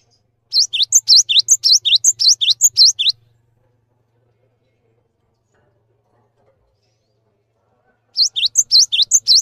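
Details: Cinereous tit in full song, used as a tutor recording to train other birds: rapid, high, sharp two-note phrases repeated about ten times in under three seconds. After a long silence, a second burst of the same phrases follows.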